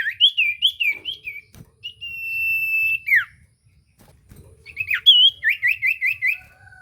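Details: Lure recording of common iora song meant to make a silent bird answer: quick rolling whistled notes, a long steady whistle with a downward slide, a pause, then a rapid series of wavering, repeated whistles.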